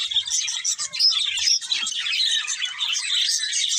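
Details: Two budgies chattering: overlapping high, scratchy warbles and quick tweets that run on without a pause.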